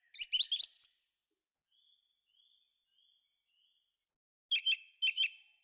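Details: Thrush in a forest sings a quick burst of high, twisting whistled notes, then faint soft thin notes spaced out, then another loud run of sharp repeated chirps.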